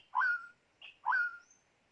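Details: White-rumped shama kept as a trapping decoy gives two clear whistled phrases, each a swelling note sliding into a long level whistle, separated by a short high chip.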